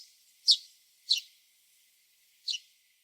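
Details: Three sharp, high house sparrow chirps spaced irregularly in a backyard, with a faint steady hiss underneath.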